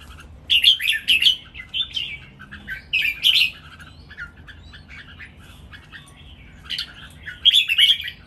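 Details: Caged red-whiskered bulbuls singing against each other, with bursts of rapid, rich chirps and whistles in clusters separated by quieter stretches, one flurry near the start, another midway and a final run at the end.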